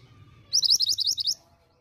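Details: Female pied bushchat calling to draw a response from males: a rapid run of about ten high, sharp chirping notes packed into under a second, each note a quick rising-falling flick, with a low background hum.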